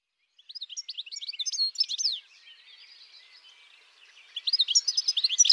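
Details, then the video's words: European goldfinch song: bursts of quick, tinkling high twitters and short rising and falling notes, a quieter buzzy stretch in the middle, then another rapid twittering phrase. "BIRDS VOICE : The European Goldfinch Bird"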